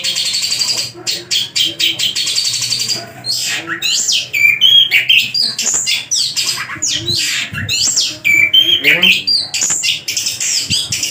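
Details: Javan long-tailed shrike, a caged and tame bird in vigorous song packed with varied borrowed phrases: harsh scratchy notes, sharp whistled slurs and dense, fast chatter with hardly a break.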